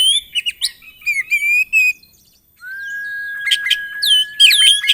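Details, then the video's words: Oriental magpie-robin pours out a busy, phrase-filled song meant to trigger others to sing: quick chirps and a run of repeated upslurred whistles, a short lull, then a long steady low whistle overlaid by sharp high notes. "TERAPI KACER GACOR ISIAN ATASI KACER MACET BUNYI LANGSUNG NYAUT BUKOR EMOSI"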